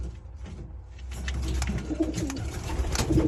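A pigeon makes low, soft throaty coos and grunts in short irregular bursts, with faint room noise and light rustling.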